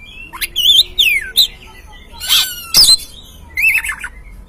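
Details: Oriental magpie-robin singing as a lure recording meant to make an untrained caged bird sing: clear whistled phrases, then a harsh rasping burst, a sharp note and a final twittering whistle, separated by short pauses.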